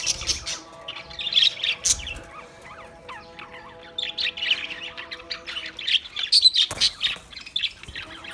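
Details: Chirping Australian parrot sounds, bursts of sharp high chatter separated by quieter spells, a faint steady tonal drone in the background, and a loud burst near the end.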